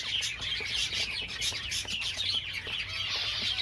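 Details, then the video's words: Java sparrows chattering: loud, dense high chirping with repeated clear, bell-like notes rising above a rapid background of overlapping clicks and twitters. "Most Beautiful Java Songs Ever"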